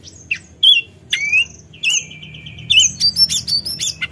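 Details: Forktail calling to agitate a rival: separate sharp whistles, a long flat whistled note, then a quick series of high chirps near the end.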